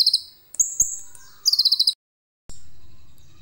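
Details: Common iora with a song full of cililin material, recorded on a phone. A high trill runs into a drawn-out whistle, then a fast stuttering trill; a low rumbling noise follows after a short silence.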